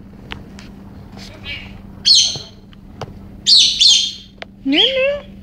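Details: Pet female galah suddenly going crazy in an excited fit, letting out harsh, raspy screeches and squawks in bursts, ending with a rising, ringing cry, while other birds nearby make soft chirps.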